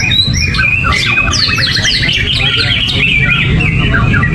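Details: Greater green leafbird, uncovered and without banana, in gerabakan song: rapid descending whistled strokes and twittering trills repeated quickly, with a steady low background drone.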